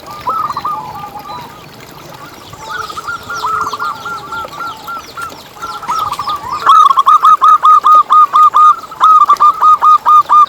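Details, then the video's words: Lure recording of local zebra doves: a murmuring chorus of soft rolling coos, then a close bird bursts into a fast run of evenly spaced, clipped cooing notes lasting several seconds. "Lokal Gacor Suara Paling ISTIMEWAcUntuk Pancingan Burung Perkutut Agar BunyiTerus"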